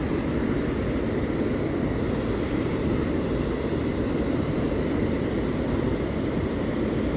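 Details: A steady, loud roar of rushing water fills the whole clip, with no animal voice heard.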